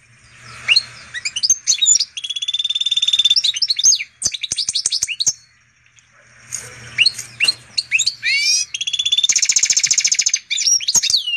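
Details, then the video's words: Goldfinch x canary hybrid singing energetically, two bursts of twittering, sweeping whistles and fast buzzy trills separated by a short silence. "Pintagol de canaria x pintassilgo português canta muito!"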